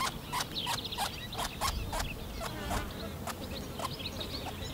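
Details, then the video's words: Eurasian wryneck calling in a garden: a run of evenly spaced, nasal, mid-pitched notes, about three each second, with a steady low rumble of background noise beneath. "le torcol fourmilier au jardin"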